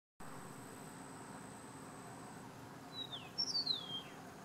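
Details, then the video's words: An Eastern Meadowlark in Everglades National Park sings a brief song of clear, high, slurred whistles that drop steadily in pitch, while tree swallows hunt in the background, over a steady hiss and a thin high tone. "Eastern Meadowlark singing"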